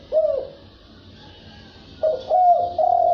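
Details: Spotted dove giving the đồng thúc bổi cooing style: a short low coo, a pause, then a longer sequence of mellow hooting notes with a rising ending, in a quiet indoor-sounding setting.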